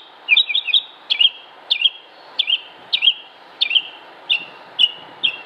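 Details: Mockingbird song from Concord, North Carolina, United States, 6 July 2016: Northern Mockingbird (Mimus polyglottos) repeating a bright, slightly buzzy chirp with a quick twist, about two per second, the same note type many times over.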